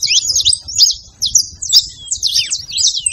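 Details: Saffron finch song aimed at stimulating a quiet bird: loud, bright slurred phrases in short bursts, separated by brief pauses.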